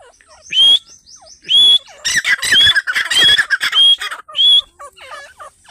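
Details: Fighting partridges give loud, harsh squawks with a ringing whistled note, about every second, plus a burst of rapid grating calls; people talk and laugh nearby.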